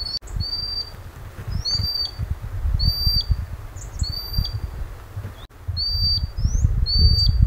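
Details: A common sandpiper calls its chicks near its breeding site by a river in northern Scotland, giving thin, high piping notes, each a short upslurred whistle, about every second, over steady low wind rumble.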